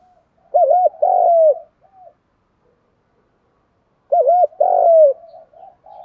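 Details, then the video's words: Spotted dove, male and female recording used to provoke wild doves into cooing for bird training: two loud phrases about 3.5 seconds apart, each a doubled hooting note followed by a longer sliding coo, with faint soft notes after. "tiếng chim cu gáy kích bổi"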